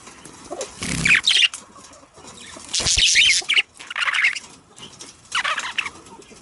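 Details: Budgerigars in a recording meant to stimulate breeding: irregular clusters of buzzy chirps and squeaks separated by quieter stretches of background hiss and rustling.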